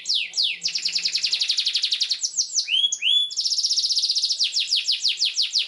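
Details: Tutor song for young canaries learning to sing: a canary delivers a rapid, steady roll of high repeated notes, breaks into a few swooping whistled slurs, then resumes another quick, even roll.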